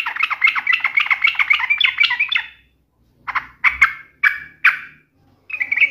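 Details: Yellow-vented bulbul, a lively singer used as a lure, taunting a rival to provoke an emotional reply: a rapid chattering run of bubbly notes for over two seconds, then short separate gurgling phrases after a pause.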